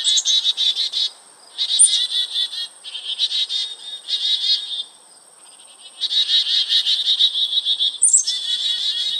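A chickadee gives its chick-a-dee call: sharp, high opening notes, then runs of harsh, buzzy dee notes in bursts every second or two, over a faint steady high hiss.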